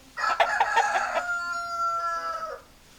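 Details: A rooster crows: a stuttering series of four or five quick pulses leads into a long held note that fades out after about two and a half seconds.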